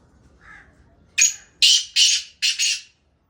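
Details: Black francolin call, a soft low note followed by four loud, rasping, hoarse bursts, the final one doubled, delivered within under two seconds in a quiet setting.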